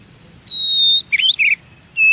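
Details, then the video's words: Wild Oriental magpie-robin singing: a sustained pure high whistle, then a burst of rich warbled notes and another steady whistle beginning, set against faint low hiss. "suara KACER di ALAM"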